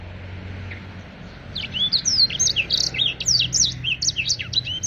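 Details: Black-throated canary, known as blacktrut jabrig, singing actively: after a quiet start, a fast string of high, sharp, sweeping warbled notes runs for over three seconds against a steady background of broadband noise and low hum.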